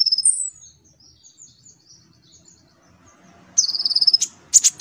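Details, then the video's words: Konin singing as a lure for a young kolibri ninja: a high squeaky slur, a faint descending series of thin notes, then a quick high trill and sharp clipped chips. "Pancingan konin rajin cerewet"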